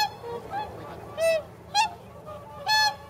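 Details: Flock of nearly 300 whooper swans at a Nagamine pond in Nishiyama-machi, close to leaving northward; three strong nasal bugled honks in quick succession with softer distant calls between them.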